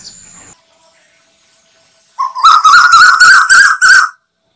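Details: Asian koel call played as bait for slingshot hunters: after a quiet pause, a rapid run of about six loud, even whistled notes at a single pitch, delivered in quick succession before an abrupt stop.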